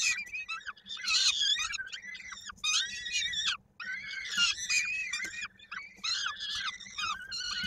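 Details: Peregrine falcon nestling in Koszalin, 16 May 2022, during feeding with its foot caught in the parent's beak; repeated harsh, wheezy squealing calls with bent, descending notes in irregular bursts about every second.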